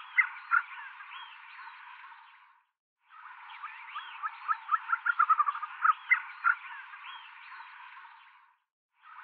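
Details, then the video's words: Tibetan snowcock (Tetraogallus tibetanus) calling and singing: clear, ringing whistled notes, then a quickening run of short calls that swells and fades, with soft background hiss between phrases. "Tibetan snowcock (Tetraogallus tibetanus) sound - Call and song"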